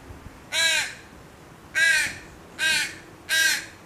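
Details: Four raspy, drawn-out caws from a baby crow crying for food to its mother, the first alone after a pause, the last three closer together.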